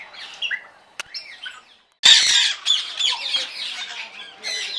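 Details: Parrots, parakeets and cockatoos, including African greys, lesser vasa parrots and cockatoos, in a big crowded aviary with nest boxes give harsh, overlapping squawks and shrieks, quieter at first, then erupting into a loud, dense chorus.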